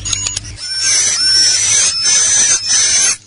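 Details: Swiftlet attraction call: a few quick clicks at first, then a long, unbroken, high buzzy trill with a thin whistle running through it, swelling and easing slightly.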